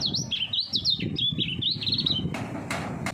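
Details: A common iora of three years, kept for songbird contests, pouring out a rapid, continuous string of high swooping whistles for two seconds, ending with several sharp clicks or flaps against a low droning background.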